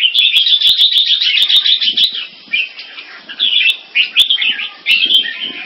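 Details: Red-whiskered bulbul, a caged mutant crossbreed kept Singapore style, singing loudly in a competitive display against another bird. Dense, bright warbling runs in quick bursts with brief gaps, with sharp cage clicks and taps throughout.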